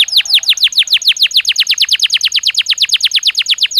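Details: Belgian canary song offered as daily training stimulus: steady run of bright, high notes, each sliding sharply downward, repeated rapidly and evenly for the whole stretch, with no other sounds.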